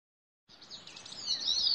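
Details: Bicknell's thrush (Catharus bicknelli) on its breeding territory: a brief high, thin, buzzy phrase that starts abruptly and climbs slightly while growing louder toward its end.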